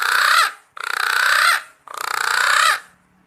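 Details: Green pigeons calling to companions, a call used to lure birds when hunting: three dense bursts of many overlapping warbling whistles, each under a second long, separated by short pauses.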